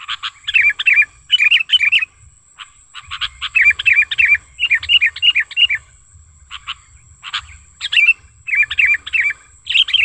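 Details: Sooty-headed bulbul lure call, recorded in the wild, used for luring and tutoring caged bulbuls: bursts of bubbly, chattering warbled phrases with short gaps between them, plus a thin steady high whine throughout.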